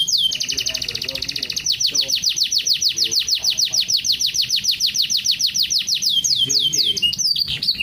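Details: Canary delivering a 'luxurious song', opening with a very fast buzzy trill, then a long string of high downward-sliding notes repeated about three times a second, ending in varied swoops and chips.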